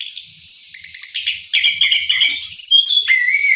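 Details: Orange-headed thrush singing a rolling song after its moult: rapid chirping notes at first, then clear whistled tones that slide downward, delivered in a fast continuous run.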